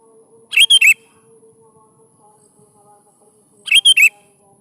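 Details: Lure recording of a sooty-headed bulbul singing for young bulbuls to answer: two crisp three-note phrases about three seconds apart, slurred and ringing, over a faint steady low hum.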